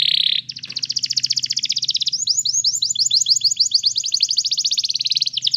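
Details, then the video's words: Canary song meant for training a canary to sing: a brief hissing burst opens, then fast, dense trills of high repeated notes roll on steadily, shifting into a slightly slower run of clear, rising-then-falling syllables, with a faint low hum beneath. "cantar canário faz seu canário cantar"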